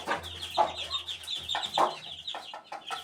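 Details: Chicken chick 18 days old: rapid high thin peeps repeated in quick runs, overlapped by several short, louder, lower broadband bursts.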